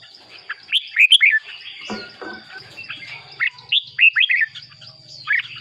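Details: Red-whiskered bulbul song meant to excite caged birds or serve as a decoy: scattered liquid whistled notes in small bursts, with a low rumbling hum and a continuous high whine underneath.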